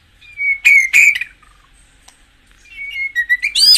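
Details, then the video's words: White-rumped shama song played to excite caged birds: a sustained high whistle broken by two loud harsh bursts, a pause, then another long whistle rising into a rough, buzzy flourish. "tiếng chích chòe lửa hót dùng kích chim căng lửa hiệu quả"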